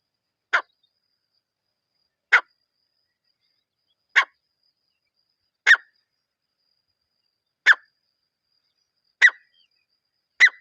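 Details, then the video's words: Teetar (partridge) call for attracting partridges on hunting trips: seven loud, sharp, harsh single notes, each very short, repeated roughly every one and a half to two seconds against complete silence. "Acha Teetar Viral Voice"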